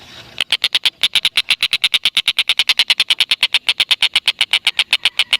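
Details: Black-and-red broadbill calling without pause, recorded as a lure to get lovebirds calling; a fast, steady run of about 35 harsh, buzzy notes in five seconds, each note short and evenly spaced.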